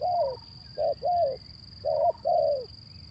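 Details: Zebra dove played to stir reluctant birds into cooing; clear warbling coos in pairs, short note then longer descending one, repeated about once a second, over a constant high-pitched hum and low rumble.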